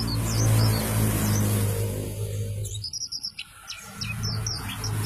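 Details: White-eye of the dakun kelud type giving short high chirps and quick downward-sweeping notes in loose series, with a loud low hum that briefly drops away midway.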